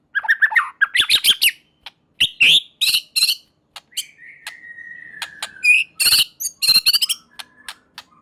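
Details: White-rumped shama singing to call out other shamas: choppy chattering and buzzy bursts, one long gently falling whistle, then more loud harsh trilled phrases and sharp clicks.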